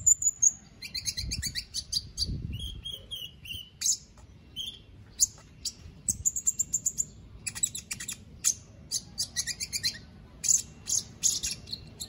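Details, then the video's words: Captive white-rumped shama entered in an online singing contest, from Palu, Central Sulawesi: a varied, fast song of sharp high chips and short whistled phrases, with slurred notes mixed in, running almost without pause, with faint low thumps beneath. "LOMBA KONIN ONLINE 20"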